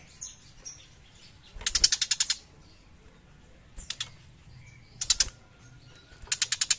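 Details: Active song of a young long-tailed shrike, given in rapid rattling bursts of harsh, high ticking notes about a second apart, separated by short thin whistles and a soft low background hum.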